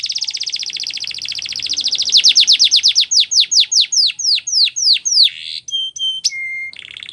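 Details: Canary song for training: a very fast high trill slows into a series of loud, clear downslurred whistles, about three per second, ending with brief flat tones and a short buzzy roll.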